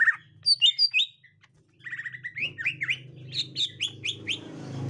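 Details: Green leafbird of the gotri type behaving on meeting a young wild green leafbird: a few loud chirps, a pause, then a long string of slurred, whistled chirps repeated quickly, with a low rumbling hum behind.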